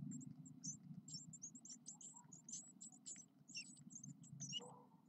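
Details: Ten blue tit chicks, nine days old, give rapid, very high, thin squeaky begging calls in a constant overlapping chatter, over a low rumbling background noise.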